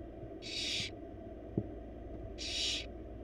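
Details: Begging hisses from four wild barn owl babies in a monitored nest box as the female brings a huge bunny: two loud rasping screeches nearly two seconds apart, a faint knock between, constant low background hum.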